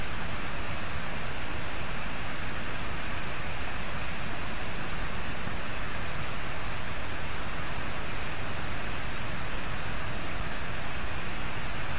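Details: Steady broadband rushing noise, like wind or rain on a microphone, with no animal calls audible.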